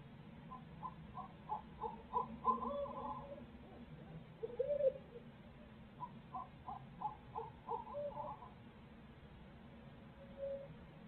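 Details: Barred owls at a Midtown Tulsa nest, both parents sharing duties; two runs of rapid rhythmic hoots with a louder wail between, distant-sounding over a low hum.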